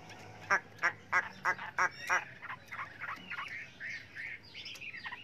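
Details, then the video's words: Chinese hwamei singing a many-voiced song, kept for training other hwameis. A run of six loud, evenly spaced harsh notes is followed by softer, varied whistled phrases, over a faint background hum. "chim họa mi hót hay"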